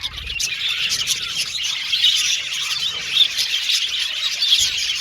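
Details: Aviary budgerigar colony chirping, a thick wall of high chattering and warbled notes with a few louder squawk-like accents, ongoing without a break.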